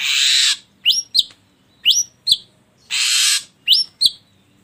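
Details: Ashy drongo song used to coax other birds to sing. Two long harsh hissing rasps are each followed by pairs of bright rising whistled notes, in a steady alternating pattern.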